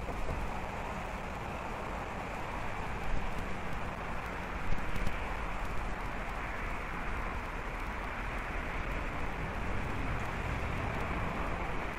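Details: Steady broadband rushing noise like wind or distant traffic, with no animal voice heard.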